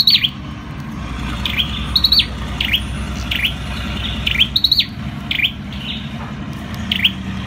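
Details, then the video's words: An olive-backed tailorbird (Orthotomus sepium) sings loud, sharp, high notes that swoop down and back up, repeated about once a second, over a steady low hum. "Bird singing Orthotomus sepium"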